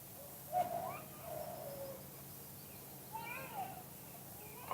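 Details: Spotted dove singing in the two-kuk-hoi style, a natural recording: low, soft hollow coos early on, followed by thin, wavering whistles and chirps from other birds later.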